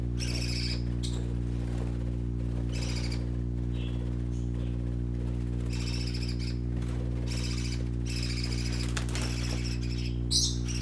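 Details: Baby parakeets playing, with intermittent runs of high chirping and twittering broken by gaps, ending in a sharper squeak, all over a persistent low humming drone.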